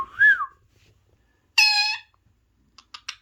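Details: Pet parrot watching parrot videos gives one arched whistled note, then a loud harsh squawk, then four quick rough clicks.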